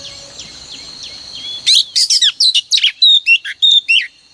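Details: Female oriental magpie-robin, played each morning to stir males into singing: after a faint high whistle, a loud burst of rapid sharp chirps and downslurred notes, about three per second.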